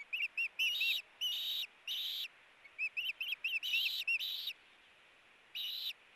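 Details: Ospreys, a pair at their nest, squabbling over a fish and recorded by a nest cam on 8-4-18: clusters of sharp, high, whistled yelps, some short and looping, others longer and drawn out, separated by quiet gaps.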